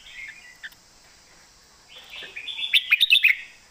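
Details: Caged red-whiskered bulbul, a contest bird, gives a brief quiet warble, pauses, then launches a loud run of rapid, bubbling notes in the master-song style.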